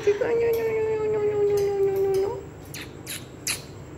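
A grey parrot gives one long, clear, low whistle lasting about two seconds and sliding slightly downward, followed by a few soft clicks and taps.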